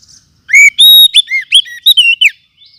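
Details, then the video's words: Forest oriental magpie-robin, recorded as a lure sound for attracting wild birds and training others. Loud burst of clear whistled notes, upswept slurs and sharp chips, about two seconds long, with faint soft twittering before and after. "Kumpulan Suara Pikat Burung Kacer Hutan 2024 ‼️Cocok Untuk Masteran"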